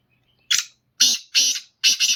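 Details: Black francolin (kala teetar) singing: one short harsh note followed by three longer, loud, rasping grating bursts in quick succession over about two seconds, with silence between phrases and no other clear sounds.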